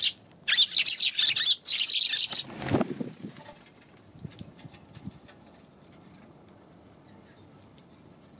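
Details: Eurasian tree sparrows on January 11: a dense two-second flurry of shrill chirps, then a low thump and rustling, followed by near quiet with one faint chirp at the end.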